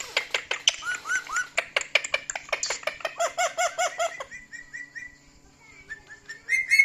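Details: Pet male talking parrot laughing at his own funny clips indoors, giving a fast, even series of short harsh chattering notes for four seconds, followed by softer scattered chirps and whistles.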